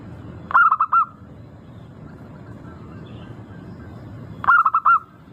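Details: Melodious local zebra dove lure for triggering song: two clipped bursts of four fast, rhythmic coo notes about four seconds apart, separated by quiet with only a low background rumble.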